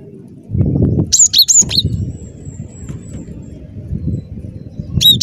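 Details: Cinereous tit in gacor song, for use as a lure: a short cluster of three high, clipped whistled notes, then a long faint thin tone, with a closing pair of notes over steady low background noise.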